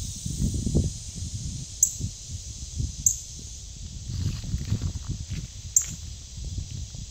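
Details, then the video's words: Male northern cardinal chirping in the Ozarks in August 2022: three sharp, very high, metallic chip notes spaced one to three seconds apart, over soft rustling and low background rumble. "Red Northern Cardinal Male Songbird Chirping"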